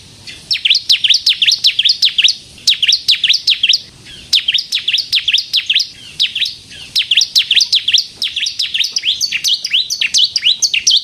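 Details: Ciblek kristal, the bar-winged prinia, in gacor song used to lure and provoke others: long run of sharp, high chirps repeated in quick bursts of several notes, brief gaps every couple of seconds, clean background.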